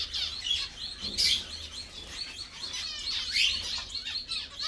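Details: Zebra finches singing, chirping and bathing together: a dense mix of thin, high twittering and nasal squeaks from several birds, with fast buzzy trills and short rising notes, over faint rustling.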